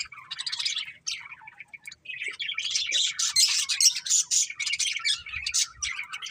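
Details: Chirping budgerigars: after a soft opening phrase, a lively stream of bright, buzzy chirps and squawky warbles builds up, uneven in rhythm, with a few low knocks near the end.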